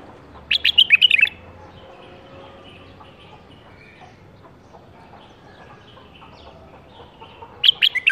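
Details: A 2018-season captive-bred bulbul in a cage produces an energetic warbling phrase of quick chirps, then long quiet, then a second similar rapid phrase at the end.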